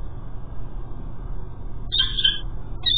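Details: Male peregrine falcon calling as he delivers food at a cathedral nest while females visit; a high, harsh, slightly wavering call near the end, then the start of another, over a low steady rumble.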